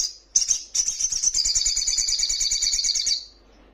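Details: Young Little Spiderhunter singing hard: a brief high note, then a sustained rapid, buzzy trill of nearly three seconds, thin and very high-pitched, fading out at the end.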